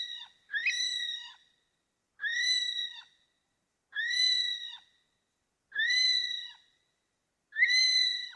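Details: A series of five loud, shrill whistles from an Okarito kiwi, spaced about every two seconds. Each note is roughly a second long, sweeping upward then held flat with a short downturned tail. Nothing else is audible.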